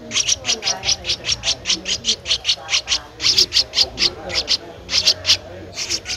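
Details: Streak-eared Bulbul nestling, 13 days old, recorded in Ubon Ratchathani, Thailand, 15 April 2023, delivers an insistent, even series of high squeaky notes at about four per second.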